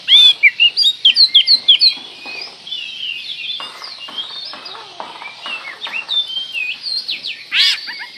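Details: Oriental magpie-robin song used as a lure to provoke rivals: a fast run of about ten sharp rising-and-falling whistles, then continuous quieter varied warbling and chattering, ending in a loud burst.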